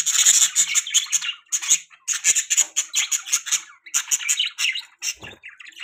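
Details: Budgies giving loud, rapid, harsh chirps and squawks in dense bursts, nearly continuous, with short pauses between runs of buzzy notes.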